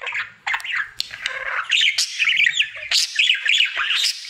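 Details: A happy pet male budgerigar sings indoors as part of his daily routine, stringing quick looping whistled chirps together with buzzy chatter and sharp clicks after a brief opening pause.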